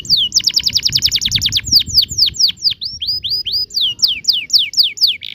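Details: Canary delivering an extended 'ngerol' roll meant to teach young canaries to sing. Begins with a rapid trill of steep downward whistles, then slower, evenly spaced swooping notes, closing on a short buzz.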